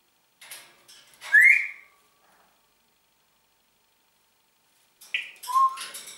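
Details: Congo grey parrot, a pet talking parrot, kept indoors: a few soft clicks, then one bright rising whistle sliding upward. After a pause of about three seconds come a short buzzy note and a lower whistled tone.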